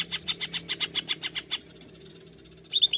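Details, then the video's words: Greater green leafbird singing 'nembak' for a lure: about a dozen loud, high chipping notes repeated several times a second, a short pause, then a quick twittering flourish. "Pancingan AMPUH Cucak ijo nembak"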